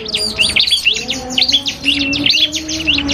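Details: Cipoh kristal (common iora) in a song duel with a prinia, a tutor recording for training caged birds: dense, high, rapid whistled and chirping phrases overlap continuously, over steady low droning tones.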